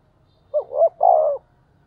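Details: Spotted dove calling its flock, loud and clear in thổ style: a single deep phrase, a short coo, a swelling arched coo and a long level coo, on a quiet background.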